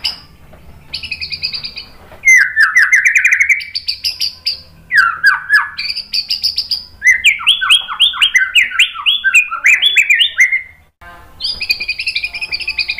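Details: White-rumped shama provoking song for training a kept bird: harsh buzzy bursts alternate with long runs of loud descending whistled notes, interrupted by short pauses, all rapid and highly varied.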